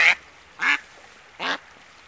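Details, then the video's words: A swimming hooded merganser gives three short, hoarse, raspy calls, about two-thirds of a second apart, over quiet background hiss. "Hooded Merganser excitement of Swim along with Calls"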